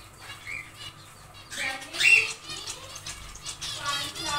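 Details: Aviary zebra finches building a nest; one loud nasal, buzzy call note rises out of soft rustling, with faint fluttering and murmured background sounds.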